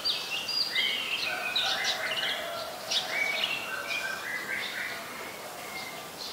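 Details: Adult common tailorbird, a common resident, recorded in Ubon Ratchathani, Thailand, on 2 March 2023: rapid high chirping notes repeated several times a second, with lower whistled strokes weaving among them over steady background hiss.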